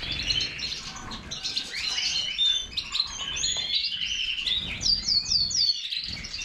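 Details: European goldfinch of the major form singing a fast, continuous twittering song of liquid trills, tinkling notes and short buzzy phrases, ending with a run of sharp down-slurred notes, over faint low background rumble.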